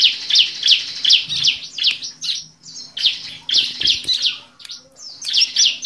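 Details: Bar-winged prinia (ciblek) lure sound for birds that are slow to sing. Piercing, high chirps come roughly three per second in an uneven rhythm, some paired and some single.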